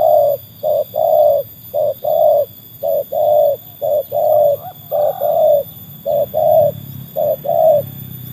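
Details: Trained spotted dove, a tekukur tested against wild birds, giving a steady series of mellow mid-pitched coos in short and longer notes, about ten phrases in eight seconds, with a low background rumble.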